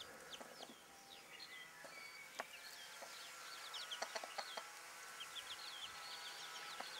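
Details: Young bantam chickens beside their broody mother: a busy chorus of high, thin peeps, some downslurred, with scattered soft clicks and taps throughout.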